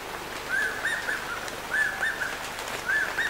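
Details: Ornate hawk-eagle at Bilsa, Ecuador, giving short arched whistled notes in groups of two or three, with a group about every 1.2 seconds, over a steady background hiss.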